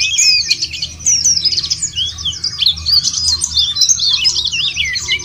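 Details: Lure of white-eye song to make birds sing: energetic, very high chattering warble, quick slurred notes run together without pause, several birds overlapping.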